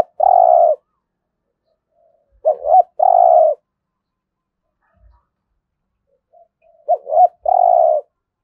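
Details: Spotted dove repeating its 'thúc gù' urging coo, a call played daily to train decoy birds: three phrases, each a brief wavering double note and a long steady purr, spaced about three to four seconds apart.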